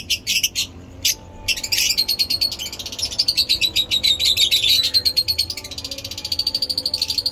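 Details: Lovebirds chirping in awesome weather in Peshawar, a long fast series of pulsed high chirps at about three per second, with a thin sustained whistle-like tone beneath.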